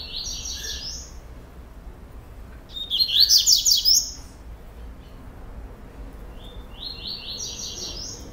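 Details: Captive-bred rusty-collared seedeater in procurador song style, delivering three bursts of high, rapid, stepped chattering phrases, the middle one loudest and most intense, separated by brief silences over a low steady hum.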